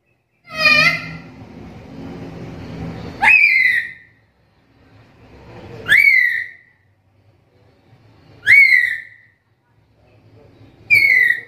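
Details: Black-capped lory calls. One harsh, buzzy note is followed by four sharp whistles that sweep steeply upward and then drop away, each roughly two and a half seconds apart. Faint low background hum.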